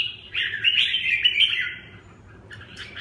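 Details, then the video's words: Red-whiskered bulbul singing one sustained burst of rich chattering, warbling notes lasting about a second and a half, then a pause and a short softer phrase. "Tiep khach"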